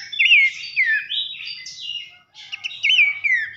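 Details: Loud whistled 'nembak nyiul' song of a Horsfield's babbler (pelanduk semak), recorded as a masteran for tutoring contest birds: slurred rising then falling whistles with buzzy upper overtones, a brief pause, then more swooping phrases.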